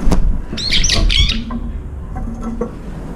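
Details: Brown-eared bulbuls fighting over food at a feeder: a burst of harsh, scratchy squawks in the first second and a half, then quieter with faint short notes and scuffling.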